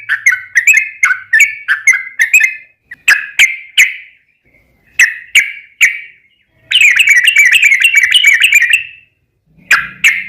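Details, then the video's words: Sooty-headed bulbul singing as a lure to set off other birds: spaced slurred whistles, a few isolated notes, then a dense rapid trilling burst and closing whistles. "trucukan ropel panjang buat PANCINGAN TRUCUKAN agar bunyi"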